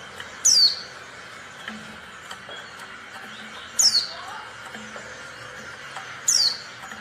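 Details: Female Oriental white-eye call for luring quiet males into song: three thin, high, down-slurred chips separated by two to three second pauses, with faint scattered background sounds.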